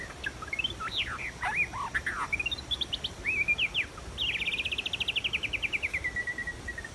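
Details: Wild white-rumped shama recorded while being trapped. It sings a run of quick, sharp whistled notes, then a long fast trill of repeated notes that slowly drops in pitch.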